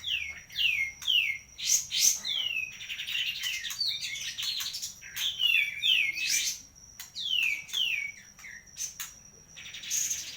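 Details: Kapas tembak bulbul singing near Medan: a busy, continuous run of quick downward-slurred whistles and chattering trills, phrases repeated in clusters, over a steady faint high electronic tone.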